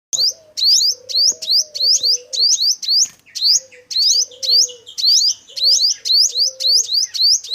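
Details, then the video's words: Male five-coloured sunbird singing, a recording used as a lure for trapping: sharp, high, upward-flicking chirps repeated almost twice a second, grouped in short runs with brief pauses. A faint low steady hum runs underneath. "Tiếng chim Hút Mật 5 màu trống chuẩn đi bẫy"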